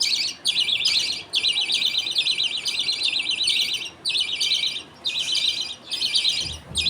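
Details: Budgies feeding: the father gives food paste from millet to two chicks, the mother watching. Long, warbling, buzzy chatter runs almost unbroken, with a few short pauses between strings.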